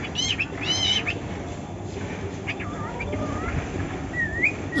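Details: A male pet cockatiel makes unusual sounds its owner had never heard from a cockatiel, a jumble of clear whistles, rising slurs and brief warbled notes.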